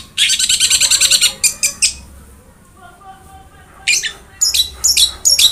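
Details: Long-tailed shrike (cendet) song played as a masteran to prompt a quiet cendet to sing: bursts of harsh, rapid buzzy notes in rows, a pause, then further scratchy chattering phrases, with faint music underneath.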